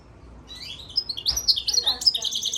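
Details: European goldfinch crossed with Timbrado canary, recorded March 3, 2024; high, bright twittering song with quick chirps and rolling trills building over two seconds after a brief quiet start.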